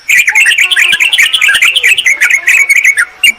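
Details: Sooty-headed bulbul, noisy lure mix used to call rivals and wild birds: a continuous, excited run of chirpy, bubbling notes with almost no pauses.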